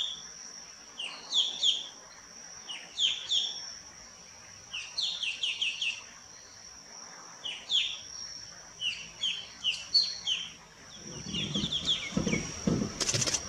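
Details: A square-tailed bulbul at Nelliyampathy, Kerala, in hill forest, gives bursts of short, squeaky, slurred high notes in quick, chatty clusters, with a steady high insect whine throughout and handling noise and speech near the end.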